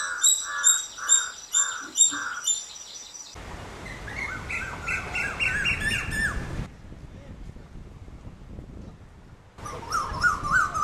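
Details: Indian cuckoo, locally called Vishupakshi, calling four clear, evenly spaced whistled notes over constant high-pitched chirping, followed by loud bursts of broadband noise and a few faint notes at the end.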